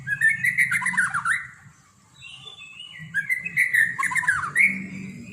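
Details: White-rumped shama, a caged competition bird, delivering kilo-style song full of odd mimicked phrases: two bursts of rich whistled, warbling slurs with brief harsh squawky notes, separated by a short pause, over a soft low hum.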